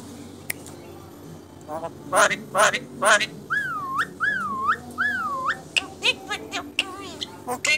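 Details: Contest-winning Asian pied starling in chattering song: loud clipped chattering notes, then three clear wavy whistles that dip and rise, followed by scattered clicks.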